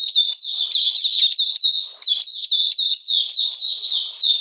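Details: Oriental magpie-robin song on a cold rainy day, 13 June 2020: bright, high notes that rise sharply then fall, strung together in a rapid, nearly seamless series.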